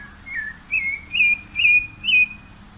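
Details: Five clear whistled notes from a Pale-breasted thrush, the first sliding downward, the rest flatter and slightly rising, evenly paced about every half second, with a low background hum.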